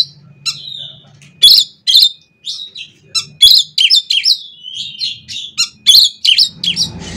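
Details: Oriental magpie-robin, kacer, a song played to get other kacer singing: loud sharp chips about twice a second, then a fast run of whistled and buzzy varied notes, faint low hum underneath.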